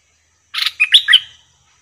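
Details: Bulbul singing at a cage during bird trapping, where a wild bird arrived quickly: one short bubbly phrase of four rich, warbled chirps lasting under a second, with clean silence around it.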